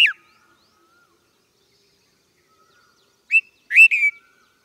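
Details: Red-vented bulbul giving brief chirpy notes: one short note at the start, then after a silence a quick two-part bright phrase with a falling tail near the end.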